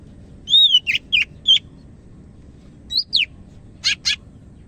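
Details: Greater green leafbird from Medan in full, lively song: clear whistled notes near the upper register, some sliding and arching, mixed with short buzzy chips in loose bursts separated by pauses.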